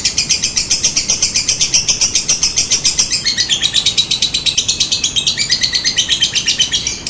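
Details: Lovebird ngekek, a long unbroken rattling chatter of harsh high notes, about four per second, with the pitch stepping lower partway through, used as a lure so other lovebirds answer.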